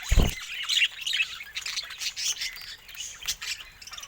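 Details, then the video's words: A low thud at the start, then budgerigars chatter in quick, squeaky, buzzy warbles, rising and falling irregularly. "Stunning Budgie Colors & Relaxing Natural Sounds"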